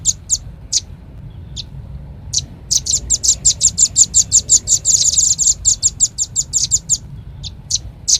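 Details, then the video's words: Lure call of the Velvet-fronted nuthatch: scattered high chips that build into a long, rapid, evenly spaced trill of shrill notes, thinning to occasional chips near the end. "Suara pikat burung rambatan paling ampuh | rambatan paruh merah"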